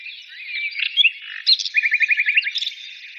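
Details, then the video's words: Birds singing: mixed warbles and chirps, then a quick evenly spaced series of about nine short buzzy notes. "birds singing"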